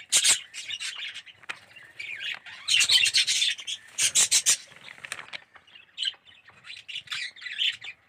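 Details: Aviary colony of red-eyed yellow budgerigars, clusters of loud squeaky chirps and scratchy chatter rising and falling, with short quiet spells between the busiest bursts.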